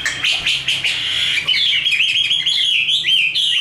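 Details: Tame Chinese hwamei performing fighting song, opening with buzzy rattled notes, then shifting into rapid high whistled trills and bouncing slurs.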